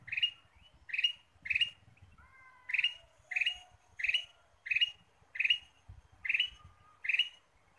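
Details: Ruby-throated bulbul used as a lure, calling busily: rapid harsh chirps about every 0.6 seconds, broken once by a few thin sliding whistles, with faint low thuds beneath.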